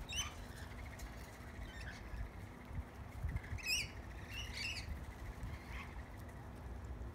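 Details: Backyard lorikeets being hand fed bread crust: brief, scratchy squawks appear at the start and in a cluster around the middle, separated by quiet stretches over a steady low background hum.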